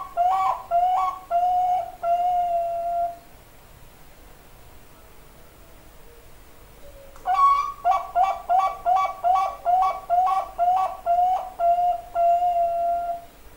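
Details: Bangkok-type zebra dove singing: a few hollow coos end in a long held note, then about four seconds of quiet, then a rapid run of roughly twelve flute-like two-tone notes closing in another drawn-out coo.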